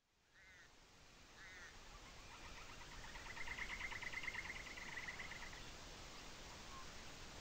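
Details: A wintering greater sand plover at Dapeng Bay, Taiwan, on 18 October 2018 gives two short clipped notes, then a rapid rolling trill of high notes lasting about three seconds, over steady wind or surf.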